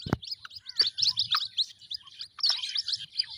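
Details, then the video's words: Rapid, thin peeps from white-breasted waterhen chicks overlap in a busy high chorus, opening with a sharp knock and including a few lower, clipped notes. "Jal Murgi k bacho ki awaz|جل مرغی کے بچوں کی آواز"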